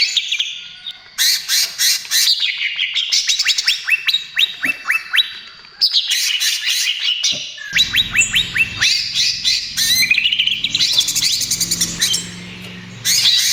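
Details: Greater green leafbird (cucak ijo trotol) singing as lure and therapy for other birds: sequences of descending whistled slurs, rattling trills and harsh notes, with a low humming background in the second half.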